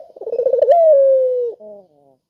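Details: A single melodious spotted dove coo, used to prompt lazy doves to call: a rapid pulsing trill leads into a long, smooth, gently falling tone, closed by a short, softer low note.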